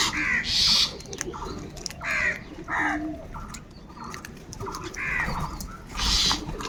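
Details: Crows quarrel over food with repeated hoarse caws, some in quick doubled pairs, spread across the recording above a rumbling background.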